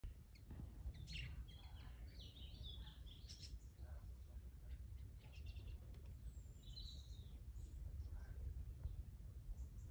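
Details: Free-flying budgerigars give quick chirps and scratchy warbled notes over steady low rumbling wind noise.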